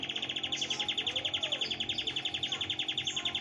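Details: Master-trained canary giving dominant 'brem' style song: a steady, rapid rattling trill of evenly spaced notes, about four per second... repeated pulses high-pitched and unbroken throughout, with faint higher whistles above.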